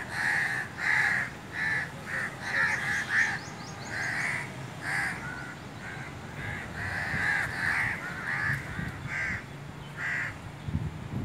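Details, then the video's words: Crows calling back and forth in a long, busy series of raucous caws, overlapping and repeated about every half second, with low background rumble. "Crow's calling to eachother"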